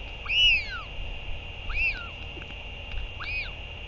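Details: Northern royal albatross, recorded 8 June 2023 during a bird's return and feeding, giving three arched, whistled calls that rise then fall, about one every one and a half seconds, over a steady high hum and low wind rumble.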